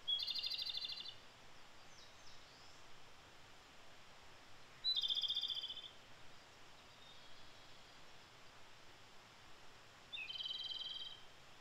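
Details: Erithacus akahige singing in Japan in early May, three loud rattled high trills roughly five seconds apart, each about a second long and starting with a clear note, with faint other bird notes between.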